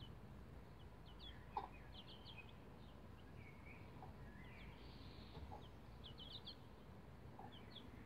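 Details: Bantam Rhode Island Red chicks, about 11 days old, climbing a chicken ladder; soft, high, short peeping chirps scattered through the recording, some rising and some falling, with a faint thump near the start, over steady low background hiss.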